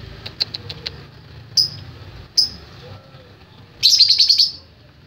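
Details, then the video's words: Lovebird chirping in the ngetik style: a few quick, faint high ticks, two louder sharp chirps, then a fast rattling burst of about eight clipped notes near the end. "Lovebird kicau ngetik"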